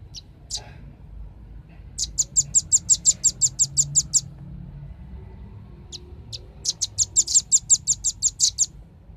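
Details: Velvet-fronted nuthatch singing, recorded as a lure to draw birds in: two bursts of rapid, evenly spaced high piercing chips, each about a dozen notes long, separated by single isolated notes and a quiet gap.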